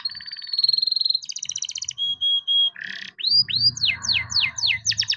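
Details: Young captive-bred canary in full song, used to prompt lazy canaries to sing: a varied, high chain of phrases, first a long buzzy trill, then steady whistled notes, then a run of rapid sweeping slurred notes, with faint low rumble beneath.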